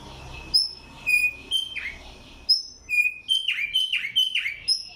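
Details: A tumba yegua singing in Barranquilla, Atlántico, Colombia gives high, clear whistles broken by quick downward-sliding notes.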